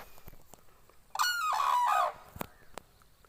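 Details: A single rolling, trumpet-like cry of about one second, with wavering pitch and rich overtones, from common cranes dancing in a flock at a village pond in Kushinagar, Uttar Pradesh, in summer. Soft clicks and rural background follow.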